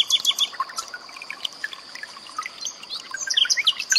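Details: Common nightingale song with its rapid 'tembakan' phrases, mixed with trickling water for training cage birds such as magpie-robins. Scattered sharp chirps, short whistles and rising notes follow one another quickly over a faint background hiss.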